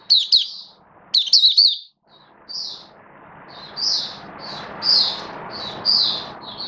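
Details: Oriental white-eye (mata puteh), a hobby songbird in build-up form, 19 September 2022: two sharp twittering bursts, then softer, blurred high chirps roughly once a second over a steady rushing background noise.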